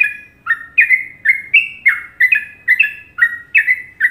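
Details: Sooty-headed bulbul from Indonesia delivering its popular Trucukan melody: clear, liquid whistled notes that bend downward, grouped in quick pairs, repeated evenly over a quiet background.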